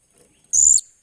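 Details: Blue-crowned hanging parrot, a backup bird being taught to act as a decoy, 28 July 2021: one shrill, steady, very high note about a third of a second long, ending abruptly, over near silence.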